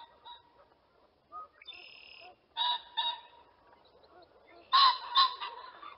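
A pheasant gives harsh, rasping double bursts, two loud paired calls about two seconds apart, with a few softer clucks between them.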